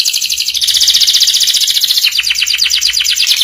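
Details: Tutor song for young canaries, in the ngeriwik style: a dense, continuous high buzzy trill that shifts midway into a faster chattering roll.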